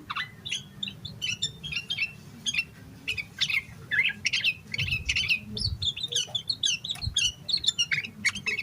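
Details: Emotional, nonstop yellow-vented bulbul song, used to trigger singing in other bulbuls. Busy stream of short chirps and quick whistled phrases, with a few soft low thuds midway.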